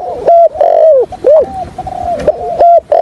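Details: Decoy spotted dove for trapping, call and stuttering coo in 'thổ' voice: loud, nearly unbroken chain of level and arched coos with short dips between, heard very close.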